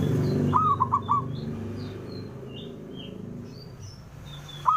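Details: Male zebra dove calling to provoke rivals into answering: one bright, hollow cooing phrase of four quick notes, a fifth phrase beginning at the end, over soft chirps of other small birds and low background rumble.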